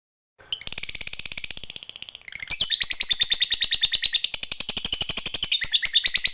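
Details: Lovebird of the fighter type giving a long ngekek song meant to stimulate other lovebirds to sing: rapid, rattling high chatter repeated about three times per second, shifting into a louder, denser buzzy trill midway.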